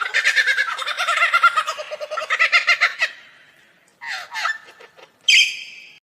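A Superb Lyrebird gives a rapid, harsh rasping chatter for about three seconds, then, after a pause, a few scratchy notes and one sharp, bright squawk.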